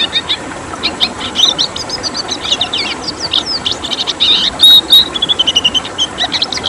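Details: Red siskin in tembakan-style song, a rapid twittering run of sharp chirps and short whistled notes, ending in clear piercing whistles over a steady background hiss.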